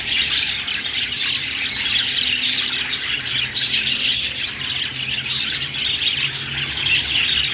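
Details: Budgies, the Australian parrot, singing in a steady, dense warble of high chirps, squeaks and twittering notes that overlap without pause, with brief sharper peaks scattered throughout and a faint low hum beneath.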